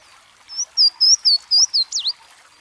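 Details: Louisiana waterthrush song: a string of about five loud, clear, high slurred whistles, evenly spaced, then a rapid jumbled twittering flourish at the end. A faint background hiss runs throughout.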